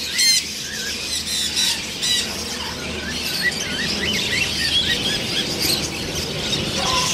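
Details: Grating, loud macaw squawks repeat rapidly at the start, giving way to a busy background of twittering and squealing birds in an outdoor setting.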